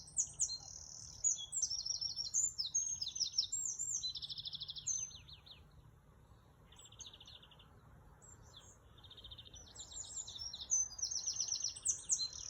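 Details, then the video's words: Bird singing melodiously: two bursts of high, bright trilled and twittering phrases with quick buzzy runs, separated by a quieter pause, over a low steady background hum. "เสียงนกร้อง ไพเราะมาก"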